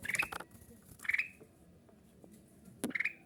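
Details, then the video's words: Kutilang emas bulbul, its song meant to make other bulbuls answer. Three short bubbly whistled bursts are spaced about a second apart, with a sharp knock among them. "suara kutilang emas ini membuat kutilang kita auto nyaut cocok untuk pancing"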